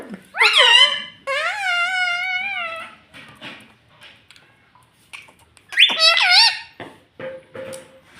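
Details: Household talking parrot copying words like mummy and papa: two long, bright, wavering nasal phrases at the start, a quiet gap with faint rustling, then a sharp burst of short squeaky syllables.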